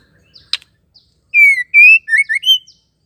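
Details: Female white-rumped shama call used to get males singing: one sharp click, then a single phrase of five loud whistled notes, the first two long and level, the last rising.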